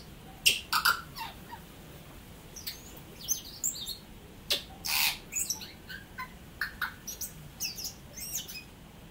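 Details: New Zealand native tui singing a long, varied phrase of sharp clicks, bell-like pings and very high wheezy notes, broken into irregular bursts with short pauses over about nine seconds.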